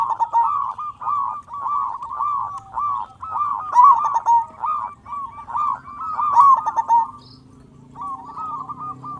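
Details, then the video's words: Local zebra dove singing with a big voice, used to get other zebra doves singing: a long run of rhythmic, pulsing coos at a steady pitch, then a short pause and a fainter coo near the end. "Perkutut Lokal Gacor Suara Besar Pancingan Burung Perkutut Agar Cepat Bunyi"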